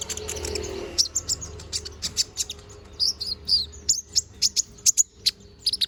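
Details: Konin bird growing feathers and singing hard: a dense opening burst of high chatter, then evenly spaced bright, piercing chirps and short trills at a quick pace, with a faint low hum behind.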